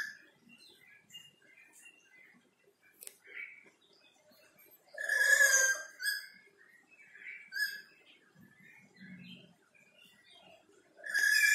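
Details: Black-capped lory chattering behind a window: scattered soft whistled notes and chirps, a loud harsh squawk midway and another at the end, with a brief low rumble.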